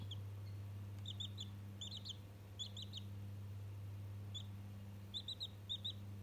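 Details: One-day-old chicken chick chattering at a toy: short high peeps in quick clusters of three or four, with pauses between bursts, over a steady low electrical hum.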